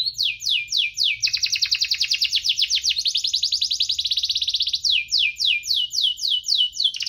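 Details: Prolific 'gacor' canary singing in the rolling 'cuit-cuit ngerol' style, used to prompt canaries slow to sing: high sweeping notes repeated about three per second, breaking into a fast continuous rolling trill midway, then slower sweeps again.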